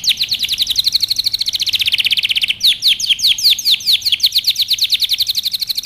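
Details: Canary song used for training: fast series of down-sweeping whistled notes near 3–5k, about ten per second, shifting after midway into slower, sharper chirps repeated steadily to the end.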